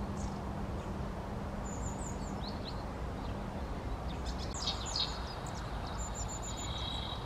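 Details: Scattered thin, high notes and a brief high trill from a long-tailed tit, with a cluster of short chips near the middle, set against steady low background noise.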